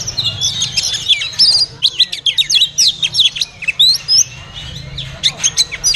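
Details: A captive Oriental magpie-robin, apparently at a bird market, sings a rich, fast run of varied whistles, slurs and sharp chips, phrases pouring out with brief pauses, over a faint low hum.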